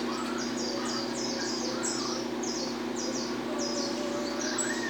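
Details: Peruvian saffron finch, called canário terra, singing a pleasing song of repeated short buzzy chirps, high-pitched phrases recurring almost twice a second over a steady low hum.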